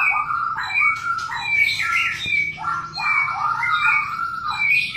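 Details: White-rumped shama during mating, singing a dense run of rolling whistled phrases at a steady pace.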